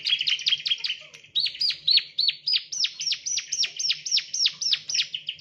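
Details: Bar-winged prinia, locally ciblek, chirping as a lure for training birds: a rapid, even chain of sharp downslurred notes, almost four a second, after a brief opening flurry, over a faint low hum.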